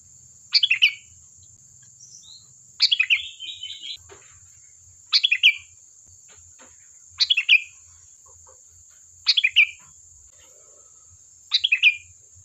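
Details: Sooty-headed bulbul singing to draw other birds into replying, six short bright phrases of falling notes roughly every two seconds, one followed by a brief warbling trill, over a steady thin high hiss.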